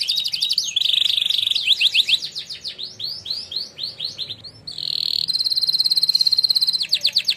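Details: Prize-winning canary in a training song: fast trills, sweeping slurred notes, then a long high steady rattle of rapid pulses.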